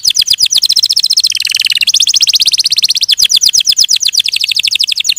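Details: Canary song made of fast trilled tours: quick repeated notes, a brief lower rolling section, then a long even high trill that slows slightly toward the end.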